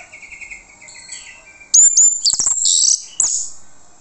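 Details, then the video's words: Orange-headed thrush lure song that makes other birds answer at once: a quiet run of mid-high chirps, then a loud burst of sharp, high whistles and rapid chattering notes, strong and varied. "PANCINGAN ANIS MERAH MANTAP YANG LAIN LANGSUNG NYAUT"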